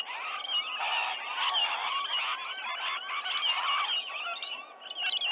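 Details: Rainbow lorikeets gathering in and around a White-bellied Sea-Eagle nesting tree, Sydney Olympic Park, Australia, 19 November 2020 just after 7 a.m.; dense overlapping shrill chattering and screechy calls from many birds, continuous throughout.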